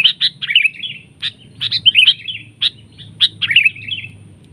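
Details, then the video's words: Sooty-headed bulbul attacking a decoy bird in a trapping duel; loud clipped chips alternate with brief bubbly, descending warbles in quick repeated phrases, a faint low hum behind. "PIKAT KUTILANG CENGKRAM seperti elang adu kekuatan"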